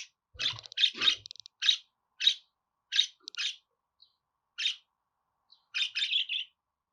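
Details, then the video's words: Budgerigar chattering in short, bright, buzzy chirps, spaced irregularly, with a brief run of rapid clicking notes near the start and a faster trill at the end. "Muhabbet Kuşu Ötme Garantili Kuş Sesi,Muhabbet Kuşu Sesi"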